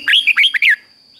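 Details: Red-whiskered bulbul training song in the 'fik-jik-fok' doubled style for young birds to learn: a short, loud string of five quick liquid warbled notes, rising then dropping, ending abruptly in near silence.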